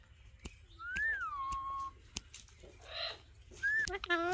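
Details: Pet Alexandrine parakeets sitting together; a rich whistle climbs and then slides down into a long level tone, followed by a hissy burst and a loud harmonic-laden note, with occasional sharp clicks.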